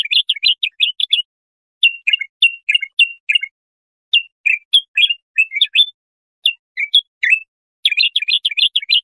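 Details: A bulbul sings bright, chattering phrases of quick warbled notes in bursts with short pauses against a clean, quiet background. The song is used for tutoring young goldfinches or hybrids.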